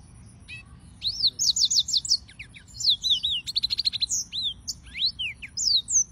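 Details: After a second of quiet, a yellow-fronted canary bursts into rapid high song: buzzy repeated trill segments, then looping slurred whistles and sharp chirps in quick succession.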